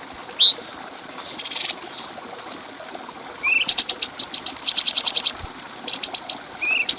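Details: Bulbul song recorded as a clear training track for other cage birds: high, sharp upslurred whistles, short buzzy bursts and runs of rapid ticking notes, with quiet gaps between phrases.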